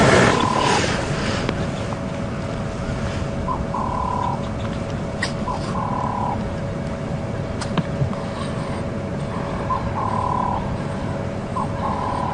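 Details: Doves coo softly in the background, short hollow notes in pairs every few seconds, over steady wind and a low engine rumble, heard on a morning safari drive in Djuma Game Reserve, Sabi Sand, South Africa, 16 October 2015.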